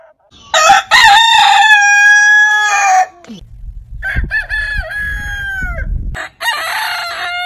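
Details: Heritage-breed roosters crow. A loud, bright crow of about two and a half seconds opens, followed by a fainter, more distant crow over low rumbling background noise. A further crow begins near the end.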